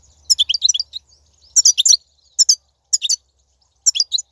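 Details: European goldfinch singing in the wild, 2019, song intended to stimulate caged birds: five short bursts of tinkling, chattering high phrases spaced by brief pauses, faint low rumble at the start.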